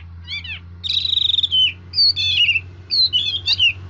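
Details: Red-whiskered bulbul singing, noted for switching voice: a quick down-slurred note, then a trilled whistle and a series of bright warbled phrases falling in pitch, over a steady low hum.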